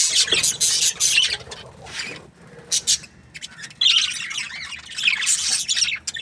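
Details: Flock of budgerigars in an aviary giving dense, scratchy high chatter in loud bursts separated by a short lull, many birds chirping at once.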